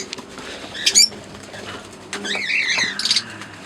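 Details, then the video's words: A green pair and an albino red-eyed pair of Fischer's lovebirds give a few shrill, scratchy chirps, one sharp burst early and a wavering squeaky run later, with quieter moments between them. "Singing & Chirping Sounds - Green Fischer Pair"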